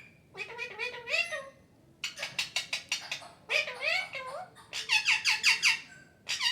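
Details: Talking parrot repeating "Mithu Mithu" indoors; clusters of rapid, harmonic speech-like syllables with wavering inflections, several bursts in quick succession separated by short pauses.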